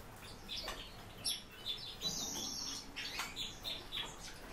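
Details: Captive warbling white-eye giving high, thin twittered notes and short chirps, mixed with broad rustling and wing-flutter noises.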